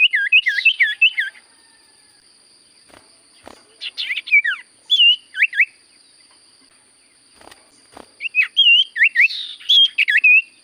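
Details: Common Iora delivering bursts of clear looping whistles and chips, separated by quiet pauses with faint clicks, ending in a lively run of wavering whistled notes; high steady whine behind.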